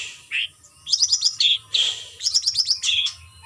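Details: Captive white-rumped shama given routine free-flight exercise for stamina; bright chattering phrases of rapid high notes alternating with short whistled trills, low hum in the background.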